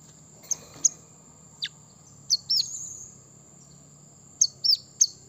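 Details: Brown-throated sunbird song played to rouse rival birds: a few isolated high, sharp chirps and curling down-slurred notes with long pauses between them, over a faint steady shrill tone.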